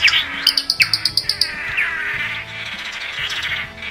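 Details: Swallow-tailed manakin (Chiroxiphia caudata), Brazilian Atlantic Forest, song: a quick run of about ten sharp, high chips, then a few slurred lower whistles, over soft background music.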